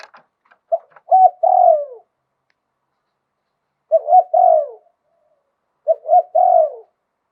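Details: Spotted dove from Thailand cooing in lui tan style with a wild-type voice; faint clicks open the recording, then three low coo phrases ending in falling croons.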